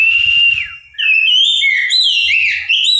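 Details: Oriental magpie-robin singing loud, clear whistles: a long steady note that dips at its end, then a quick run of varied sliding whistled phrases that jump between lower and high notes, with a faint low rumble beneath.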